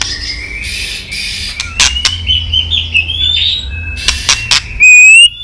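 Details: Female white-rumped shama calling to fire up males for fighting: harsh buzzy bursts and sharp clicks mixed with thin high whistled notes that slide upward, ending in a loud rising whistle.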